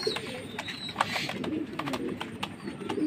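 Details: Low throaty cooing of a Jacobin pigeon, a rolling murmur with short bursts, mixed with sharp clicks and faint higher chirps from other birds nearby.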